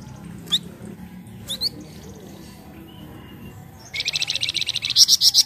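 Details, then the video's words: Untrained flamboyan giving its lure song to prompt other birds to sing. A few isolated thin chirps come first, then a rapid, buzzy high trill that builds into several louder, piercing notes. "PANCINGAN BUNYI FLAMBOYAN BAHAN"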